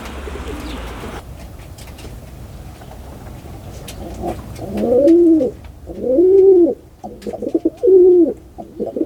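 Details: Pigeon cooing after a few seconds of background hiss and clicks: three or four deep, arched, rolling coos close together near the end.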